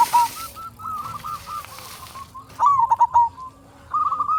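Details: Local zebra dove singing, used to lure other zebra doves: a hiss fades out as soft wavering coos run on, then a louder burst of quick clipped coos and a final trilled phrase.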